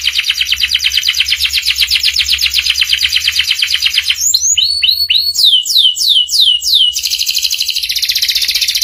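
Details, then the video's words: Canary master song for young canaries, ngeriwik style: a long fast pulsing trill, then quick downward-swept whistles and chirps about three per second, closing with a smooth high buzzy trill. "PANCINGAN SUARA KENARI PAUD CEPAT BELAJAR BUNYI NGERIWIK || MASTERAN KENARI PAUD"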